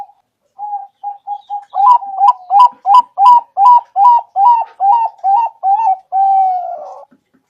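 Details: Zebra dove trapping lure song: soft, spaced introductory coos build into about eleven loud, clipped notes, each with a rising accent, and finish with one long, level, sustained coo.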